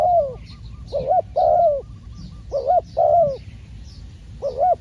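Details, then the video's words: During a trapping outing, a decoy spotted dove gives rounded, hollow coos in short bursts, some single and some doubled, about one per second. Faint high twittering sits in the background. "ต่อนกเขาใหญ่ พานกฝึก เจ้าอันาดามัน ออกฝึกเก็บเชลยแต้มแรกกได้สำเร็จเชลยเสียงเล็กคูดี"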